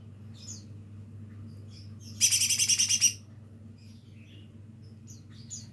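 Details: Lesser green leafbird, a young bird still learning its song, makes a rasping rattle of roughly seven fast pulses, set among soft, thin high chirps before and after.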